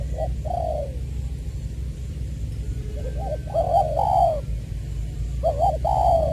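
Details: Decoy spotted dove, Trà Vinh, Long Đức, Vietnam, February 2021, singing in the "Chuẩn Giọng Tiểu" voice style; a short note and a falling coo, a quiet pause, then two phrases of clipped double notes leading into drawn-out coos, with background hum.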